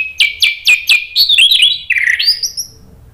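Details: Singing orange-headed thrush, played to prompt another bird into song: a quick series of five sharp, bright repeated notes, then a run of warbled, slurred whistles that fades out.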